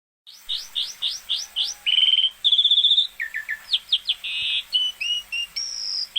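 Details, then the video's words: Asian pied starling in full, vigorous song. It opens with a run of rising whistled notes, then gives buzzy sustained phrases and a varied jumble of chirps and whistles. The song is loud and clear with no other sounds. "Burung Jalak Suren gacor"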